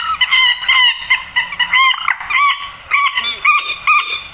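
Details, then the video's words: Grey-headed swamphen screeching, from a recording used to lure birds into nets at night: loud, wavering, nasal wails alternate with clipped honks in an irregular run. "tiếng trích ré"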